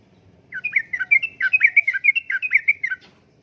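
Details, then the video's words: Uplik-uplik song of a sooty-headed bulbul, a lure and tutoring track for caged birds. One dense three-second phrase of rapid, tumbling, liquid notes over faint low background noise. "Kicauan Suara Burung Trucukan Gacor Uplik Uplik,Pancingan Trucukan Gacor,Masteran Trucukan"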